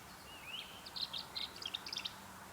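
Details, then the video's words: Tree swallow nesting in a box on a tree, May 2013, giving quick liquid, watery, gurgling chirps in high bursts after a thin rising whistle, over faint background hum. "hear that watery, gurgly sound? That's the tree swallow."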